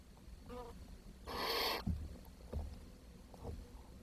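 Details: Barn owl chicks in a nest on 10 June 2023, where food ran short and the youngest died and was fed to its siblings. One loud, harsh, breathy hiss lasts about half a second, with fainter rustles and knocks around it.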